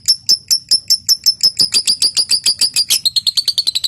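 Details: Lovebird used to prompt other lovebirds to sing, opening with clicking notes before long chattering (ngekek): a fast train of sharp high pulses, about six per second, accelerating slightly and dropping a little in pitch near the end.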